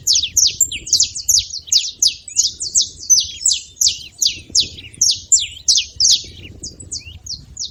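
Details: Several saffron finches making noise together; rapid high, sharp chirps and short downslurred notes repeated about three times a second in a busy chorus, with faint low background rumble.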